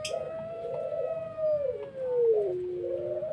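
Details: Collared dove of the pelung type giving a whimpering coo in the pelog voice style: a long, smooth, low tone that holds, slides downward, then rises again, in a quiet room.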